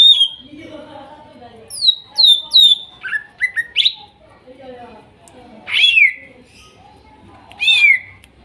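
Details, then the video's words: Greater green leafbird of Kuningan forest stock, spotted and masked birds, singing as therapy for a silent bird: a varied run of sharp downslurred whistles and chirps, some in quick threes, with softer low notes behind. "TERAPI CUCAK IJO MACET BUNYI BAHAN HUTAN KUNINGAN TROTOL DAN NOPENG"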